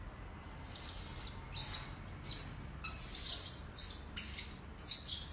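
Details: Blue-crowned hanging parrot recording used as a bird lure: soft, hissy high chirps in irregular bursts, ending with a sharper thin whistled note.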